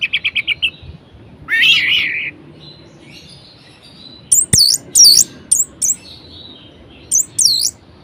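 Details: Orange-headed thrush kept in a cage, singing a varied mimicking song to provoke quiet birds: a rapid trill, a harsh buzzy burst, then loud looping high whistles in clusters.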